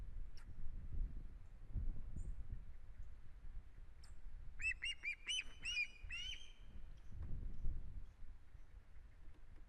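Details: Osprey on its nest in Estonia, 1 September 2016, with strange head movements, delivers a brief run of six or seven whistled chirps ending in a drawn-out note, with soft low rumbling around.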